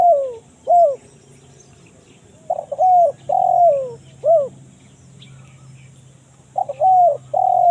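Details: Spotted dove used as a forest lure, singing the kuk 1 mersik style: repeated phrases of short intro notes, long mellow falling coos and a clipped final note, separated by pauses, with faint chirps from small birds behind.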